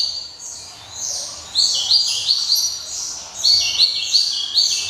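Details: Java sparrow song, described as crisp and ringing: a stream of high, thin chirps, then from mid-clip loud sharp notes repeated about three times per second, with softer twittering between.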